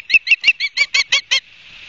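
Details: Nest-cam recording of Ospreys at Barnegat Light, New Jersey, 8/31/22, 12:30; eight loud, clipped, whistled chirps come in under a second and a half, then give way to soft hiss.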